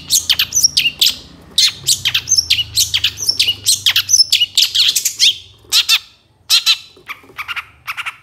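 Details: Long-tailed shrike song in a master recording for training songbirds, with a rich fill of varied phrases: rapid, dense, harsh and whistled notes tumbling together, then thinning into spaced single chirps.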